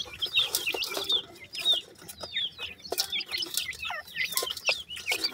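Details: Chicks of the Grey francolin cheep in quick, high, arched chirps that come in clusters, overlaid by sharp clicks and scuffling noises.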